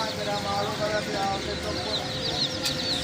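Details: Chicks peep in high, thin bursts over a steady mechanical hum and background murmur. A single sharp click cuts through near the end.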